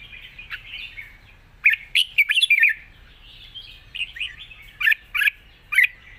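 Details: Red-whiskered bulbul in a wild-style song with long phrases: soft opening notes, a loud tumbling cluster of clear warbles, then separate spaced chirps toward the end.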